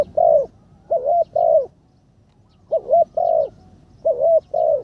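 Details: Spotted dove decoy bird in training, its third session: mellow cooing in three-note phrases. A short lead note runs into two fuller, slightly wavering coos, and the phrases are separated by about a second of quiet.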